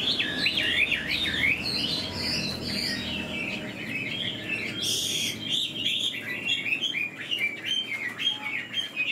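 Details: Caged Chinese Hwamei in new plumage, fanning and flicking its tail while singing like a laughingthrush: a long, unbroken stream of rich, varied whistles, quick slurred loops and trills with a brief burst of noise midway.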